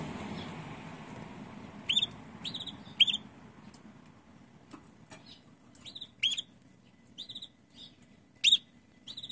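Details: A female red canary in a garden gives short, bright upslurred chirps at irregular intervals of a second or two, calling to a male who answers; sharp clicks, faint hum, occasional wild bird replies.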